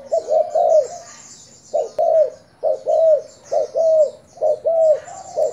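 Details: Decoy spotted dove of Thai stock cooing: deep, hollow two-part coos, each note arching slightly, delivered in close pairs and triplets with short pauses, about once a second, with faint high hiss behind.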